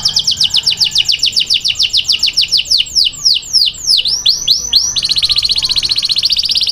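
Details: Male canary singing toward a female, a run of rapid descending sweeps that slows into looping swooping notes, then breaks into a fast, even, high-pitched trill.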